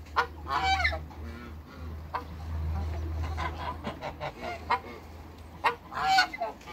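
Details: African geese, three of them, meeting on a farm: loud nasal honks open and close the sequence, separated by softer scattered calls, with a steady low hum underneath.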